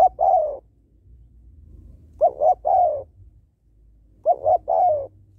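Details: Female spotted dove calling to stimulate males. Three repeated coo phrases about two seconds apart, each made of two short notes and a drawn-out falling coo, over a faint low rumble.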